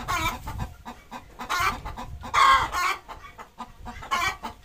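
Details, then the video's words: Desi hen calling while laying an egg at home, giving a run of harsh, broken cackles in several loud bursts with quieter clucks between them. "Desi Hen Leying an Egg Video from Chicken Murgi se Anda"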